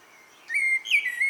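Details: Short evening phrase from a common blackbird: a smooth whistled note followed by a higher, slurred fluting flourish, heard against calm surroundings.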